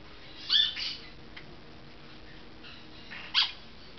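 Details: A pet Golden-winged parakeet at bath time gives two quick, harsh, high chirps near the start and another sharp chirp about three seconds later, over a faint room hiss.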